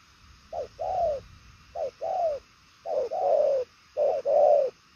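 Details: A 'đồng son chân tím' spotted dove with purple legs cooing ('gù') in quick, far-reaching 'bài lối' style: four pairs of a short note and a prolonged falling coo, evenly spaced.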